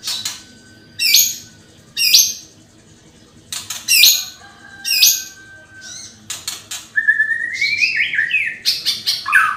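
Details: Lure recording of an energetic white-rumped shama: spaced, sharp high whistled phrases at roughly one-second intervals, then a faster tumbling run of rising, slurred whistles and chatter toward the end.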